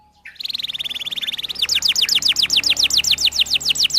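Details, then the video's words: Canary singing a long 'gacor' lure song for young birds learning their notes: a fast, even buzzy trill held for over a second, breaking into rapid, sharply falling high notes repeated several times per second. "Kenari gacor panjang Merdu Cuit Cuit EMOSI, Pancingan Kenari Paud Belajar Bunyi"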